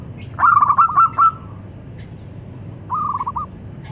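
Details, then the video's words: Local zebra doves calling back and forth. A rolling, bubbling phrase of quick cooing notes ending in a drawn-out tone, then after a pause a shorter, quieter trilled phrase replies. "Suara perkutut lokal saling sahut."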